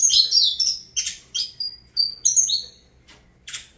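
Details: Saffron finch, Avalanche lineage, delivering rapid high chirps and short whistled slurs, several falling in pitch, grouped in quick bursts that fade to scattered notes near the end.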